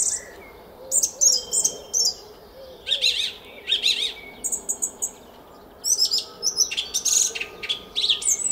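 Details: Spring dawn song of a song thrush in a Hungarian garden at Szalkszentmárton, 06:15, 10 April 2021: sharp high chirps and whistles, with one phrase given twice, then a dense run of varied notes.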